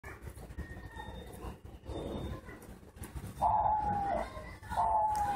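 A diamond dove gives two soft, drawn-out coos, each slightly falling in pitch, over a low background hum and faint high tones.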